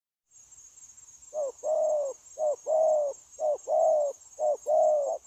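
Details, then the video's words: Freshly caught wild spotted dove cooing eagerly in an unbroken style, dated 9 January 2024; after a quiet second, four deep coo pairs follow, each a short note then a longer one, over a steady high hiss. "Bổi Quá Chịu Gù | Nết gù liền lạc liên tục"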